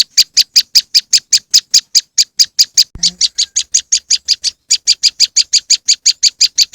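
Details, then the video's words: Rapid scratchy chips of a moss wren lure, steady and loud, with a click and a slight change in tone midway, then a short pause before the series resumes. "powerful moss wren bird lure sound"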